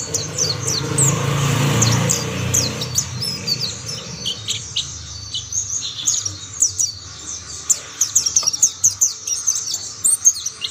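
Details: Mountain white-eyes, with other birds of the same kind joining in, give thin, very high chirps and short twittering notes in rapid overlapping bursts that grow busier toward the end; low background rumble in the first seconds.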